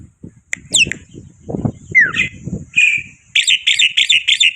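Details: Black-winged myna (white starling) in a lively lure song: a sharp descending whistle, a short slurred whistle, a flat whistle, then a rapid run of harsh buzzy notes repeated about five times a second, over low rumbling background noise.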